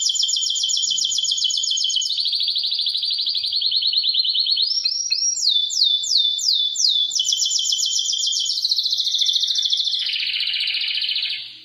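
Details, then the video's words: Singing canary delivering long unbroken rolling trills at several pitch levels, with a short run of clear rising-falling whistled notes in the middle. "chant canaris تغريد الكناري singing canary"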